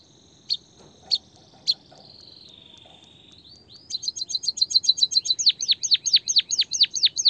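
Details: White-headed munia recording for urging a quiet bird into song: a few isolated sharp chips and a soft drawn whine, then rapid high twittering giving way to repeated falling whistled strokes.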